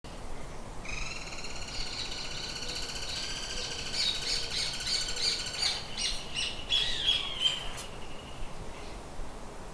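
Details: Birds in a shed: drawn-out, harmonic squawking notes begin after the first second and hold for several seconds, overlapping, with a burst of sharp clicking chirps near the end over a low steady background hiss.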